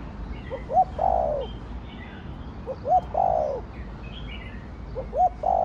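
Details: Spotted dove giving 'thổ đồng' style coos used to stimulate other birds, three phrases about two seconds apart, each a brief rising note followed by a long, rough, falling coo; light bird chirps above.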